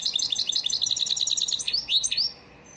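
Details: European goldfinch as a caged bird with a training song: a dense, rapid series of high twittering notes ending in a few rising, slurred whistles, then silence.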